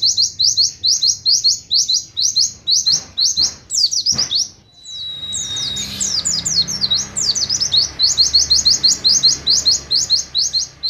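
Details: Oriental white-eye, cage bird, 'nembak sejalur' song of crisp high chips in regular series, broken midway by a thin level whistle and tangled twitters before the steady chipping resumes.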